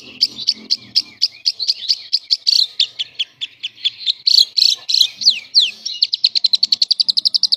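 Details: Lovebird in semi-konslet song, used to tutor other lovebirds: irregular sharp high chirps and descending squeaky notes, growing denser, then a tight fast trill of even pulses; faint low chatter at the start.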